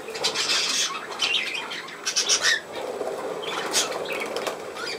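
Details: Budgerigar giving scratchy, buzzy chatter with short bright squawks around the two-second mark, a steady warbling murmur underneath throughout.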